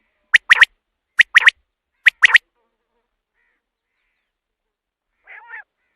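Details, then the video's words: Common quail calling, the sound used at night to draw quail in for hunting: three groups of sharp triple notes within about two seconds, then silence and a faint harsh note. "batair ki awaz raat k liye | quail calling | رات کے لیے بہت ہی اچھی آواز"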